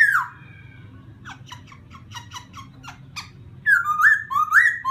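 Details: Laughingthrush sound meant to rouse a newly caught wild bird: an opening downslurred whistle, a series of short harsh chips, then loud rising whistled phrases.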